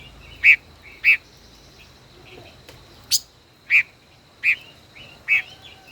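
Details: Caged five-colored bird, a decoy kept more than a year, dueling in song: emphatic short chips in quick uneven series, a pause mid-way, then more chips with faint warbled notes.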